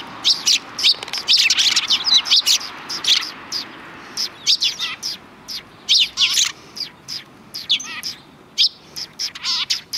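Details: Sparrows on the road before a Tenmangu shrine, 13 December 2019. High, sharp chirps come in irregular clusters, some with a wavering lower note, and several birds call over one another against a quiet background.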